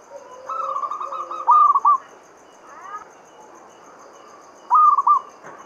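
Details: Local Javanese zebra dove singing a lure song meant to set other doves singing: fast stuttering trilled coos in two main bursts, bright and rolling, with a softer lower dove trilling beneath and a steady faint high hiss.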